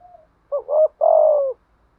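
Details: Spotted dove cooing to provoke answering doves; a faint opening note, then a quick two-part hoot followed by a sustained, gently descending low coo, in near silence.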